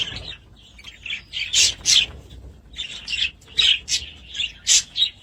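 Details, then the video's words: Budgerigars giving separate bright chirps and squeaky squawks in short bursts about every third of a second, with clear gaps of quiet between the louder calls. "Budgies sound"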